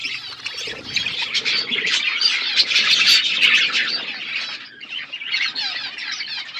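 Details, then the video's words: Several budgerigars chattering together in a loud, steady stream of rapid buzzy warbles, squawky chirps and twittering notes, briefly dipping in volume before the chatter resumes. "Budgies relaxing sounds Birds chirping sounds"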